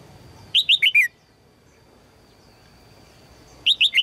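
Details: Female red-whiskered bulbul calling to attract a strong male, with a fast burst of four clear chirped notes, the last falling, then a quiet gap of over two seconds before another quick four-note burst.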